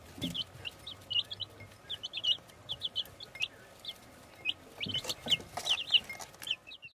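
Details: Baby chicks chirping: clear, high, thin peeps falling in pitch, given singly and in quick pairs and triplets throughout, with a few soft thuds in the background.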